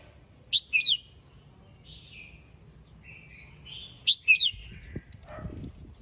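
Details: Red-whiskered bulbul in morning song, calling its flock: two quick bursts of bright chirps separated by softer drawn-out whistles, and a few low knocks near the end.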